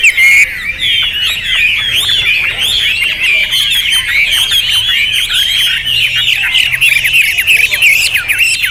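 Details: Hwamei, called a champion bird with loud volume and rich material, singing a dense, continuous stream of fast chattering and whistled notes, with overlapping twittering throughout.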